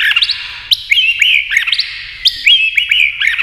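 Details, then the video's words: White-rumped shama in a singing contest against a TV, tail flicking as it sings. The bird pours out quick, high whistles broken by crisp click-like notes in a fast, jumpy rhythm. "kích chòe lửa hót đấu với tivi cực căng lửa"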